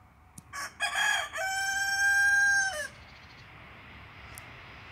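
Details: Crowing rooster: a few stuttering opening syllables building into one long, steady, richly harmonic note that ends with a brief downward slur, followed by quiet background noise.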